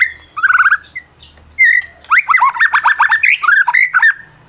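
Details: Champion white-rumped shama of the Medan type, used to goad mute shamas into singing. A brief whistled trill and slurred notes open, then come rapid, varied downslurred phrases with sharp high overtones.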